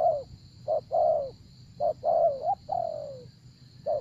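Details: Decoy spotted dove calling to draw in wild doves: a run of short and drawn-out coos, some rising at the end, one long descending coo, steady high-pitched hum in the background.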